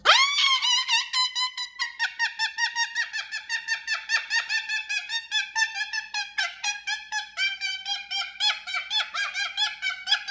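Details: Cockatoo kept as a pet, squawking in a steady, fast rhythm of about four harsh, nasal notes per second for ten seconds, the pitch holding level throughout.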